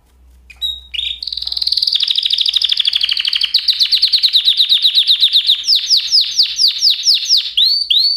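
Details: Canary singing a long accelerating trill that builds into loud repeated swooping notes, clear and uninterrupted.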